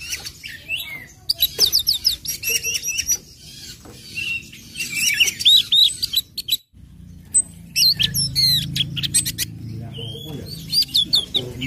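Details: Ngecip, ngecit and ngeplong song of an orange-headed thrush, played to prompt other birds in breeding condition to sing along; rapid, varied high chips and looping whistles in dense runs, a brief silent gap midway, then more twisting notes over a low rumble.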